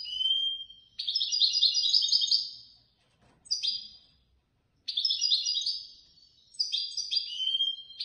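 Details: A European goldfinch that placed third in a Casablanca bird-lovers' association contest sings fast, tinkling phrases of liquid twitters and buzzy trills, high-pitched, in bursts with brief pauses.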